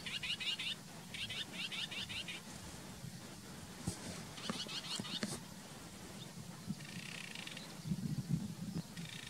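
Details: Sedge warbler singing fast, scratchy chattering phrases in quick repeated bursts over a steady low rumble; recorder unsure whether it is really a sedge warbler, as reed birds are hard to capture.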